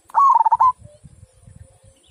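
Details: Big-voiced local zebra dove (perkutut) in the clear 'kung' style: a single half-second burst of rapid, pulsing coos that dips slightly in pitch, followed by quiet low thumping sounds.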